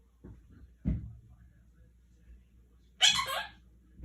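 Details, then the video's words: Pet Quaker parrot (monk parakeet) in its room, playing peek-a-boo with its owner: a soft thump, then one short, harsh, raspy screech lasting about half a second, in a quiet indoor setting. "Quaker parrot talking"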